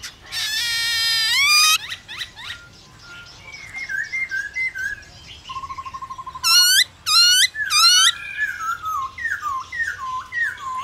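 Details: White-browed laughingthrush kept as a cage bird, singing to rouse other birds: a harsh rasping burst, a rapid trill, three loud chattering notes, then a run of quick whistled slurs.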